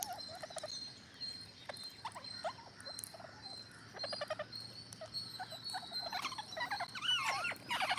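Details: Several green parrots calling in a gathering flock: scratchy, harmonic squawks and rapid chattering runs, growing busier toward the end, with a constant thin high whine behind them.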